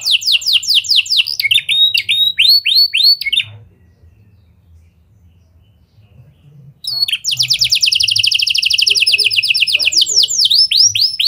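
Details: Canary singing in lovebird and prenjak style, played to draw other canaries into long song: quick sweeping whistled notes, a pause of about three seconds, then a dense rapid high trill.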